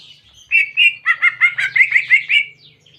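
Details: Greater green leafbird singing a clear canary-imitation song, a training recording. About nine rapid buzzy, trilled notes in a steady burst lasting two seconds, with a faint low hum underneath.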